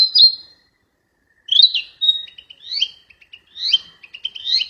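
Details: Wild flycatcher singing: a high whistled note, a pause, then a run of warbled phrases rising and falling, each followed by short clipped notes, in a quiet setting.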